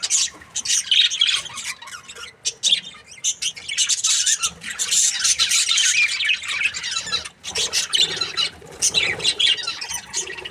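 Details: Several happy budgies keep up continuous bright twittering and harsh little squawks, layered chatter running almost without pause, one short quiet gap before the busy flock noise resumes.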